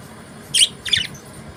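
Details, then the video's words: Australian budgerigar giving two brief, high, scratchy chirps about half a second apart, the second slightly longer and more warbled, against a quiet background. "Australian Beautiful Budgies Nice Chirping Sounds"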